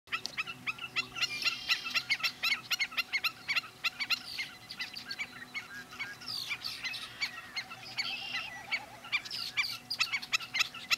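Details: Black-necked stilts at Sunnyside Wildlife Area Headquarters Unit, Yakima County, Washington, giving sharp, yapping kek notes in rapid, overlapping bursts, several birds calling at once in a steady, noisy chatter.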